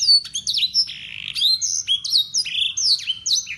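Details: Local Yorkshire canary, full of blackthroat and sanger material, singing clear loud song with a long buzzy note followed by repeated sweeping whistled phrases in steady succession.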